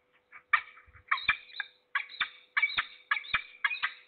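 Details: Peregrine falcon in the Trzebież Forest District, Poland, recorded 6 September 2022, noisy since morning: harsh, clipped calls with bright overtones, given in quick irregular bursts of several notes, with a steady faint background hum.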